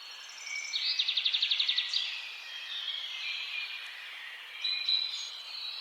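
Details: Birds singing outdoors: a fast, rhythmic high trill of evenly spaced notes for about a second, then softer overlapping chirps and a brief bright whistle near the end over steady background hiss.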